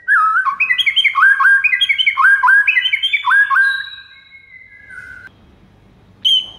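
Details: White-rumped shama master song meant to make other shamas respond: rich whistled phrases with upward-sweeping notes around four per second, then long sustained whistles falling in steps, a pause and one final high note.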